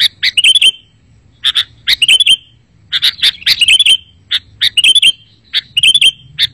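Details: Sooty-headed bulbul (kutilang) lure recording used to attract wild birds and prompt silent caged ones to answer: sharp, bright chirps and short twittering phrases in bursts about every second, separated by brief pauses, over a faint low hum.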